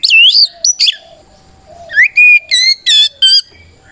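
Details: Short burst of kacer, Oriental magpie-robin, fighting song meant to make rivals respond: a looping whistled phrase, a pause, then five strong upslurred whistles in steady succession.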